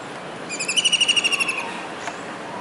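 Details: Kingfisher calling from a disc antenna on a building in Surat, Gujarat, on a rainy day in July 2019. A single high, chattering trill of about a dozen quick notes fades out. A faint click follows it.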